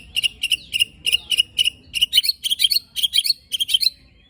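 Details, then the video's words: White-rumped shama shooting-style song with rough fill-in, aimed at provoking other shamas: sharp clipped notes repeated about four times a second, growing slightly louder and more complex toward the end. "Tembakan Dan Besetan Murai Batu Isian Kasar Ampuh Memancing Emosi Murai Batu"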